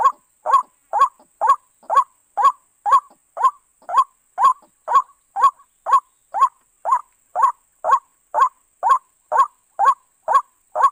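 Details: Long run of white-breasted waterhen calls for bird trapping: some 22 harsh, clipped croaks delivered with metronomic regularity, about two each second, a faint high whine throughout.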